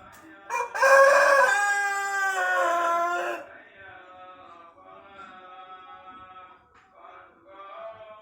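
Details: Pelung chicken crowing, a breed whose crow lengthens with maturity; a loud harmonic crow of about three seconds, followed by a quieter, drawn-out wavering tail and softer trailing notes.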